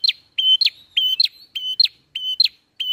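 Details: Rapid ngalun song of a bar-winged prinia, a lure for bird catching: loud descending notes alternating with level whistles, about five quick phrases tumbling over one another.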